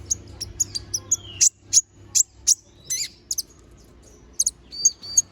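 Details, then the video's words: Little spiderhunter, called konin or kolibri ninja in Indonesia, singing actively with sharp filler notes: thin, high, piercing chips in uneven bursts, roughly three per second, plus one brief falling whistle and a faint low hum beneath. "Masteran Suara Burung Konin Gacor Bongkar Isian Suara Tajam"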